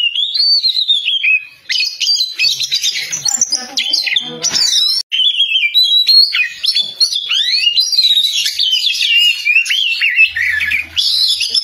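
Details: Vigorous Oriental magpie-robin song, a long unbroken stream of high whistles, trills and rising-falling slurs, with harsher buzzy bursts mixed in and a brief gap midway.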